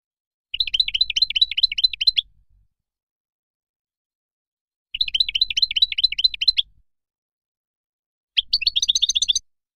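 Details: Moroccan European goldfinch repeating brisk bursts of evenly paced, bouncing chirps, three phrases of one to two seconds with long silent gaps between them.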